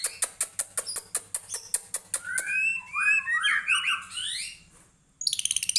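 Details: White-rumped shama singing hard, being readied for a song contest: a rapid series of dry clicks about six per second, then rich tumbling warbled and whistled phrases, and a final burst of fast clicks.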